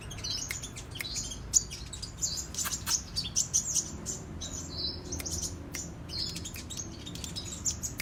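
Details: Kolibri raja sunbird singing actively in the clicking cetrekan style: rapid, very high, thin twittering phrases with sharp clicks scattered throughout, separated by brief gaps.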